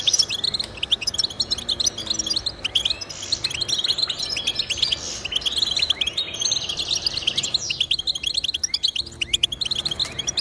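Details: European goldfinch song intended to get pet goldfinches singing: sustained, jumbled twitter of high chirps and trills, slightly thinning in the later seconds before picking up again.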